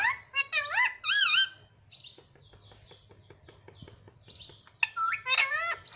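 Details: Pet parrot indoors, said to talk, saying mummy and papa; heard here are loud, wavering, harmonic whistled notes in bursts, a run of soft clicks in the middle, then more rising-falling squeaky calls.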